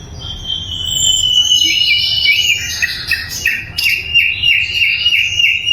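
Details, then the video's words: Sikatan londo flycatcher in full, clear song for tutoring caged songbirds such as magpie robins; a sustained high whistle into warbling phrases, then a quickly repeated rolling note series, with a soft low hum. "SIKATAN LONDO GACOR - SUARA LANTANG & SUPER JERNIH"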